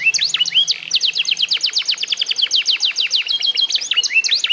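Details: F1SF canary, eight months old and mastered in song: a few rising whistled notes, a short buzz, then long fast runs of sharp descending chirps.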